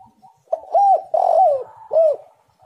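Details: Spotted dove, played as a lure to get other doves singing: a clear cooing phrase of several looping, arched coos around a low, mellow pitch, the middle note drawn out and slurred downward, with short quiet gaps.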